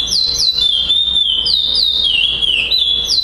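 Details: Competition song of a prize-winning chestnut-bellied seed finch (curió) at a Florianópolis tournament, 11 December 2011; continuous pure whistling, high notes dipping and sliding down into sustained tones, with brief rises, steady low hum in the background.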